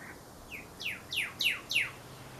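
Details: Male Pyrrhuloxia in desert near Tucson calling to his mate: a soft introductory note followed by four loud, descending, slurred chips at a steady quick pace.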